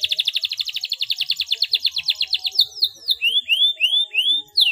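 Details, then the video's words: Clear rolling canary song, played to stimulate silent canaries to sing. A fast, steady trill gradually slows, then turns into descending and upslurred whistled notes. "SUARA KENARI GACOR NGEROLL JERNIH INI TERBUKTI DAPAT MERANGSANG BUNYI KENARI BISU"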